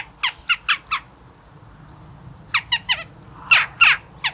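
Eurasian jackdaw giving short, sharp 'tchak' calls: four quick ones, a pause of over a second, then a looser burst of about seven more.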